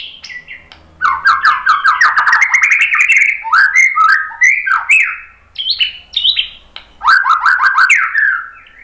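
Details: Song of a white-rumped shama played to prompt other birds to sing: long rapid runs of rising slurred notes, repeated in quick series, interspersed with sharp chips and brief pauses.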